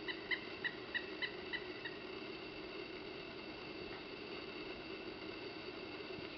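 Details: Male Pileated woodpecker approaching a suet log, calling to warn a nearby Blue Jay away: a series of about six evenly spaced loud notes in the first two seconds, followed by a steady low hum.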